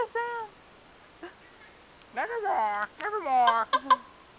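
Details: A raven at a wildlife sanctuary makes a run of odd, funny tonal croaks, some sliding down and others bending up, broken by short, almost speech-like bursts.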